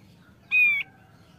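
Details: Male thick-billed white-eye, said to sing often, giving a single clear whistled note, slightly falling, about a third of a second long, over a quiet low hum.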